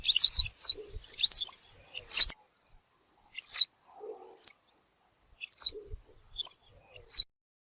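Western yellow wagtail giving thin, high, slurred tsweep calls, singly and in quick pairs, about a dozen over eight seconds, against a quiet background.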